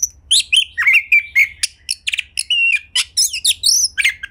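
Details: Oriental magpie-robin (kacer) in vigorous song intended to prompt others to sing: quick successive chirps, slurred whistles and short trills, each note separate and rapid, against a faint low hum.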